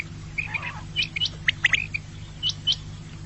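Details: Quail call used as a lure for hunting: short bright chirps and whistled notes in irregular bursts, with a steady low hum underneath.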